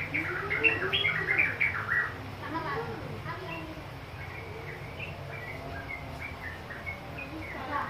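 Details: Young yellow-vented bulbul in Mojokerto answering a lure call: bubbly, chattering phrases of quick mid-pitched notes, busiest in the first two seconds, over a steady low hum with faint voices.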